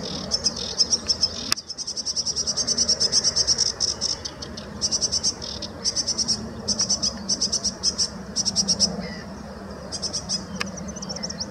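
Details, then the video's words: Sedge warbler singing at De Hoge Dijk, Amsterdam, the Netherlands, on 11 April 2017: fast, dry, chattering runs of high repeated notes in bursts with short pauses, over low background rumble. "Sedge Warbker/Rietzanger"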